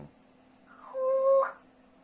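A grey parrot gives a single drawn-out, voice-like mid-pitched note lasting about half a second, with a brief rough burst at its end, in a quiet room.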